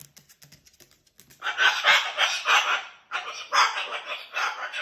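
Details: Pet cockatoo using its whole body while telling its stories and flinging fibres: after soft clicks, loud raspy, harsh chattering bursts start, run on unevenly, pause briefly, then resume in rough, rapidly pulsed phrases.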